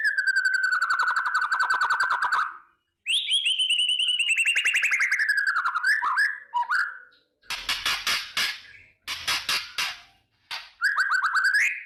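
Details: Morning song of a white-rumped shama to spark fighting mood: long buzzy trilled phrases at low then higher pitch, followed by grouped harsh rasping bursts and a final rising whistle.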